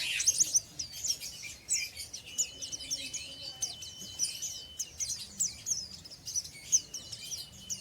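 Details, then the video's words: Untrained oriental white-eye singing in the ngeriwik style: dense, rapid high twittering and chirps without pause, with a steady thin high tone running underneath. "BURUNG PLECI BAHAN NGERIWIK"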